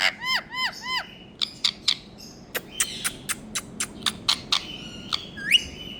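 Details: Rose-ringed parakeet, a green Indian ringneck parrot, giving arched whistled notes in quick pairs, then a steady whistle, a run of sharp clicking ticks and a final upswept whistle.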